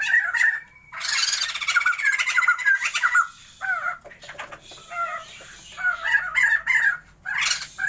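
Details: Sumatran white-crested laughingthrush pair kept for a breeding attempt, giving loud, raucous chattering mixed with short slurred whistles and harsh squawks, the bursts rising and falling in waves almost without pause.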